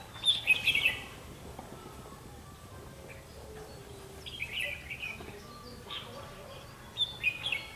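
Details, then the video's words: Red-whiskered bulbul of the 'mí lửa' type, a decoy bird singing during a trapping session on 31 October 2016; short bright warbled phrases at the start, another around four and a half seconds, and a final burst near seven seconds, with quiet outdoor background. "Bẫy chào mào mí lửa"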